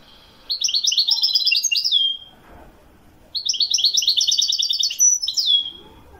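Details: European goldfinch of the Widani type, Morocco, delivering two fast tinkling phrases of rolling chirps, each closing with a sliding, descending whistle, with a quiet gap between them.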